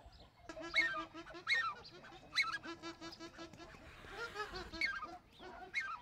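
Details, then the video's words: Black-necked swans give soft, wheezy, whistled calls, several birds overlapping in repeated short bursts about every second, with a low steady hum beneath. "Black-necked Swan"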